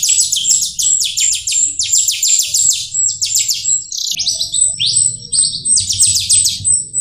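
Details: Melodious jalak rio song meant as a master recording for cage birds: quick runs of shrill, downward-sliding chirps packed into bursts, with occasional longer whistled notes and a soft low rumble behind.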